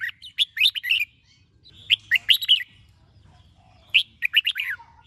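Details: Red-whiskered bulbul singing a vigorous morning song in the 'chè' style, used to train and stimulate birds to sing; three rapid phrases of loud, rising and falling whistled notes, about two seconds apart.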